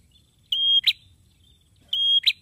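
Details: Two phrases from an eagerly singing male prinia: each a steady piercing whistle ending in a sudden click, spaced about 1.4 seconds apart, in an otherwise quiet setting.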